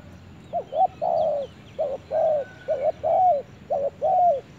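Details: Spotted dove in a forest calling steadily: paired phrases of a quick two-part note followed by a drawn-out, gently falling coo, roughly one phrase per second; faint high chirps from other birds behind.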